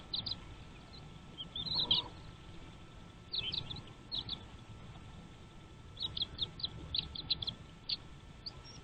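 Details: Parent birds bring food to their chicks in the nest. Short, high chirps come in quick bursts near the start, around the middle and again toward the end, over a faint steady hum and soft outdoor background noise.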